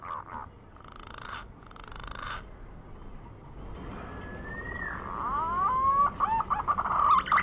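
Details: Hunting lure of a green pigeon: faint, muffled whistles at first, then a clear, rising, sliding whistle that breaks into rapid warbling, looping notes.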